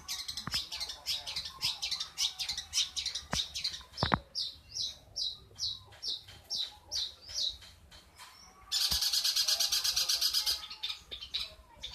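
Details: Long-tailed shrike giving an unusual, strange-sounding call: a fast run of short high chirps, roughly two to three each second, ending in a loud, harsh, buzzy burst lasting a couple of seconds.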